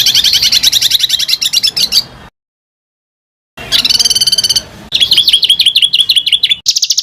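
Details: Rough rolling bird song used as a training recording for competition fighter birds: rapid harsh, buzzy trills broken by over a second of silence, then more scratchy rattles with a slightly noisy background.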